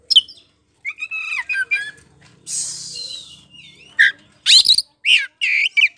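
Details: Kacer poci (Oriental magpie-robin) in provoking lure song: scratchy chattering and squeaky notes, a harsh hissing rasp, then loud sharp separate chips.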